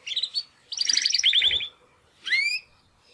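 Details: Young male Timbrado canaries, brothers from the second 2020 breeding, making first song attempts after their first molt; a short buzzy trill, a dense rattling burst of rapid notes, then a rising whistled slur after a pause.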